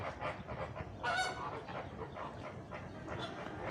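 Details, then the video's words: Flamingos honking, a loud nasal call about one second in, followed by softer, repeated honks over continuous noise. "طيور البشروش | الفلامينجو الغريب"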